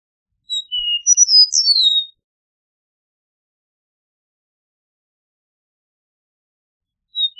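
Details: An Eastern meadowlark gives one slurred, whistled song phrase, high notes falling then tumbling and sliding down, followed by about five seconds of silence before a further whistle begins.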